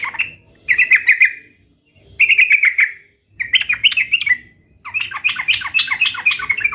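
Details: Sooty-headed bulbul in vigorous song, used to make pet bulbuls respond. Short runs of clipped, repeated whistled notes lead into a long, rapid, bubbly chattering warble.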